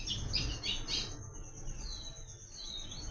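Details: Papa-capim or coleiro song in the 'Tui Tui' pattern for teaching young birds: a few quick high chirped notes, then fainter drawn-out sweeping whistles, with a constant high hum and low background rumble.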